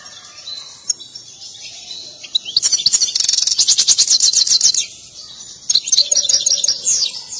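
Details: European goldfinch, excited and dancing, delivers a fast, bright trilled twitter lasting about two seconds, then more tinkling high phrases and slurred whistles, with soft background chirps.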